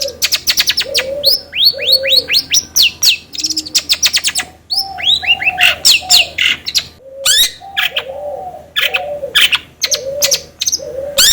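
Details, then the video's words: Long-tailed shrike lure song to set another bird singing: series of rising whistled notes and sharp chips mixed with low mellow slurred phrases and short scratchy bursts. "PANCINGAN CENDET AGAR CEPAT gacor"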